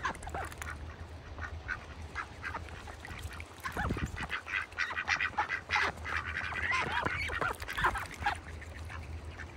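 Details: Ducks kept in a bucket on a farm in wintertime, giving a busy stream of short nasal quacks and chatter, densest in the middle seconds, over a steady low hum.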